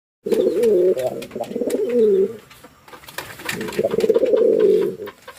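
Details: A Lakkha (fantail) pigeon in Jashore, Bangladesh gives two long, low, throaty cooing phrases, each about two seconds, rolling and wavering, with a short pause between.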